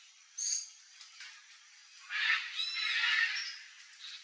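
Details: Red-and-green macaw (Ara chloropterus), free in nature in Brazil, feeding on a ripe mango: a short high chirp, then a long harsh, raspy squawk with a layered, grating tone lasting over a second, and faint thin twitters between.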